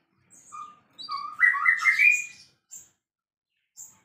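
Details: White-rumped shama, a champion singer in full voice: short whistled notes build into a loud rich rising warble, followed by two brief high squeaky notes against a quiet background.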